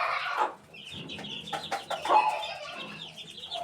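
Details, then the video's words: An eighteen-day-old chicken chick peeps in brief high chirps over lower rough clucking bursts; short and somewhat busy. "18 days old chick"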